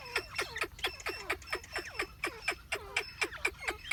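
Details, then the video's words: A grey francolin gives loud, shrill, ringing notes, about three a second, each with a sharp falling sweep, in a steady hurried series. "Gray francolin | teetar ki awaz | Dakni teetar ki awaz | teetar awaz | teetar sounds"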